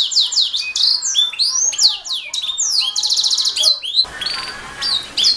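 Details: Canary song for tutoring other songbirds, a master recording: fast high rolling phrases of down-slurred whistles and buzzy trilled bursts, with a brief rougher patch near the end.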